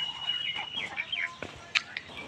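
Ducklings give high, thin peeps, several short slurred notes overlapping, with a faint background hiss.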